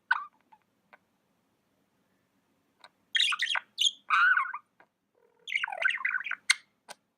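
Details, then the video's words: Pet budgie giving a few soft ticks, then loud bursts of warbling chatter with sliding, squeaky chirps and a sharp high click near the end. "Amazing budgie chirping sounds"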